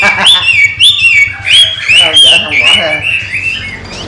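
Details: Caged Chinese hwamei, trained by its keeper, singing; loud rich whistled phrases sliding up and down, fluid and varied, with a person talking nearby.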